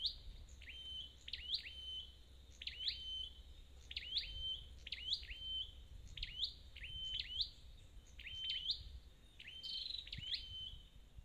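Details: Persistent singing from a wild-caught red-headed flowerpecker: a steady series of high, squeaky, swooping chirps with short whistled tails, about ten repeats. A low hum runs underneath.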